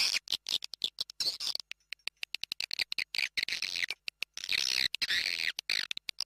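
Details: Played to draw in swiftlets, a lure call made of high, buzzy twitters broken into quick on-off pulses, with a longer continuous chattering stretch near the end.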